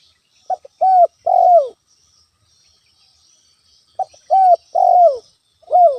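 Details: Natural lure of a spotted dove in full voice, aimed at provoking a rival: two matching phrases of a short clipped note and two or three loud falling coos, separated by about two seconds of quiet.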